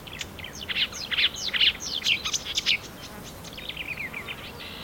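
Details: Marsh warbler (Acrocephalus palustris), a mimic of other birds' songs, sings a fast, varied stream of chattering, buzzy and whistled notes, high-pitched and tumbling without pause, over faint background hiss.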